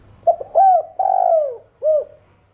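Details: Single full 'thổ đồng' calling coo phrase from a spotted dove: a quick low note, a rising-then-falling coo, a longer sliding coo dropping in pitch, and a short rounded final coo, with quiet background.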